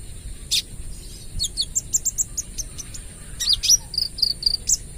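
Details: Speckled olive-backed sunbird, rapid 'AK 47' style lure song: high ticks, a couple of shrill slurs, then a string of short clear whistles repeated evenly.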